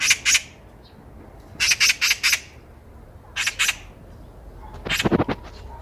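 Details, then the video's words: Eurasian magpie heard by chance on a walk in Korea, giving short groups of two to four harsh rasping squawks separated by pauses, with a low thud near the end. "까치 새소리"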